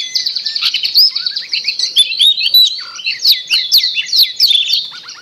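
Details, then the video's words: Long-tailed shrike in a lure recording meant to set off a shrike that has stopped singing: a dense, fast, varied warble of high whistles, slurred sweeps and chattering notes running without pause. "Pancingan Cendet Macet Bunyi"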